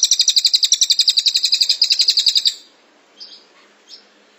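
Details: Cililin in the close-fire 'tembakan rapat' style, from a tutor recording for training birds: a strong, high, buzzing trill of rapid, regular notes lasting about two and a half seconds, then two soft short notes in quiet.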